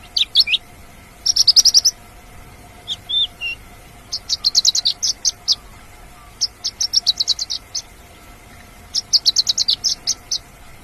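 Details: A wild Mongolian lark sings in rapid bursts of high, sharp trilled notes and chirps, phrases of about a second each separated by short pauses.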